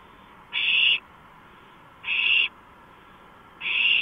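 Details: Nighttime owl on a porch, 2:05 AM, 5 April 2015, sends out three drawn, wheezy hissing bursts roughly every one and a half seconds, each under half a second, over low hum.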